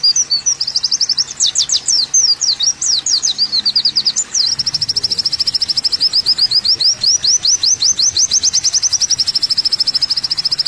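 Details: Olive-backed sunbird (kolibri wulung) singing on a training recording for cage birds: high, thin chirps that sweep and twist, then settle at about 4.5 seconds into a fast, steady run of sharp repeated notes lasting to the end.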